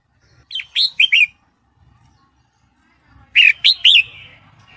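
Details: Breeding-condition female sooty-headed bulbul calling to a male, two groups of three or four bright, slightly buzzy chirps, each note dipping in pitch, over light low rumble.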